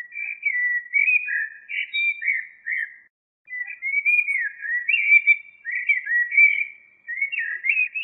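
A common blackbird sings fluty, warbling phrases that slide up and down in a mid-high range, with one brief pause. No other sounds are clear.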